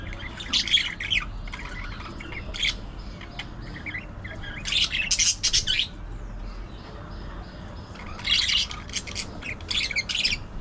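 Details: Budgerigars gossip in clustered bursts of high, grating warbles and quick chirps, separated by short quieter gaps, with a faint low hum in the background.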